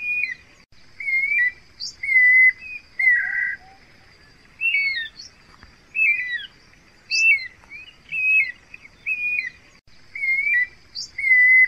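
Guira cuckoo giving loud, clear whistled notes, many sliding downward, in uneven bursts about once a second over a quiet background.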